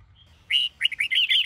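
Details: Red-whiskered bulbul from the Sông Kôn line, a caged bird being trained to sing in the morning: a faint thin whistle, then a quick run of bright, slurred notes in short bursts after half a second.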